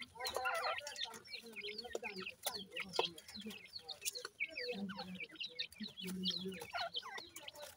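Francolin chicks give a busy stream of thin, high peeps and chirps, many overlapping, over soft low clucking notes.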